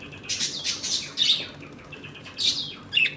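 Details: Several budgerigars kept as a home colony, eating, playing and sometimes fighting, trade bright chirping notes in short bursts with brief gaps, ending in a sharp high squeak.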